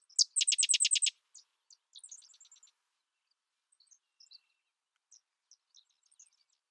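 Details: Sedge wren opening with a loud, rapid chattering trill of about nine dry, high notes, followed by scattered faint chips and a softer, distant stuttering series trailing off into quiet.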